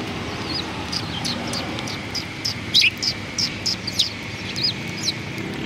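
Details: Sparrows greeting passers-by in front of a cultural hall, 7 February 2020: scattered short high chirps, a few louder bursts around the middle, over a steady hum of traffic.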